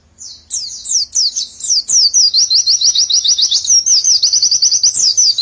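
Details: Pleci (white-eye) delivering its nembak song, with a tight 'witwitwit' linked into ngecer trilling: a few sharp, descending high chirps open into a long, dense run of very fast, even, high-pitched notes.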